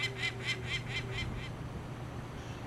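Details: Angry adult female peregrine falcon defending her nest at a hotel in Hamilton, Ontario, in 2009 while her chicks are removed for banding. She gives six rapid, harsh, repeated cackling notes, about four per second, then falls quiet over a low steady hum.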